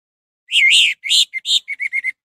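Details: Orange-headed thrush song played to provoke other birds into singing: a loud slurred whistle, then a rapid series of short clipped whistled notes, all high and clean with no background noise.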